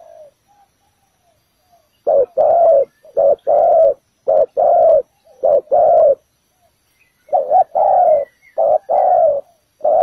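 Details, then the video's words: Decoy spotted dove at a ground trap for catching doves. After two quiet seconds it gives a steady run of low, throaty coos in twos, a clipped note and then a fuller drawn-out one, about once a second. "Bẫy cu gáy mồi đất, bổi thổ đủ bài, quá hay"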